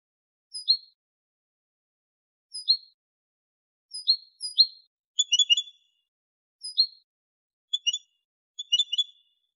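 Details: Caged male European goldfinch in Morocco, 2023, clean 'limpio' song: repeated high downslurred chirps every couple of seconds broken by quick rattling twitter bursts, over complete quiet.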